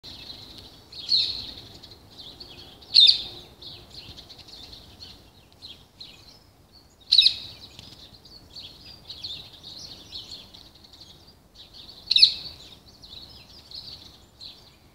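Parakeets chatter in a thin, high band of chirps, with sharper screeches standing out about every four to five seconds.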